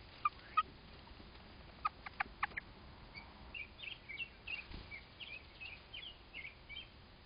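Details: American robins, a pair at their nest during a crow's attack on it; sharp, short calls repeated irregularly, then a run of quieter mid-pitched chirps, with a faint steady background hiss.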